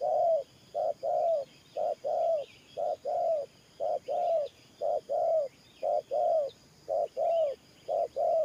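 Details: Spotted dove decoy bird cooing in the Thổ Pha style: low, hollow paired notes, a short coo followed by a longer slightly falling one, repeated steadily about once a second, with faint bird chirps in the background.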